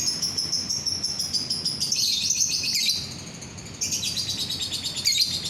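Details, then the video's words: A lovebird in steady song, used to set other lovebirds singing: a fast, high, rattling chatter with pulsed, buzzy notes, broken by one short pause before resuming. "DENGAR SESAAT SAJA, bikin lovebird yang lain ikut bunyi"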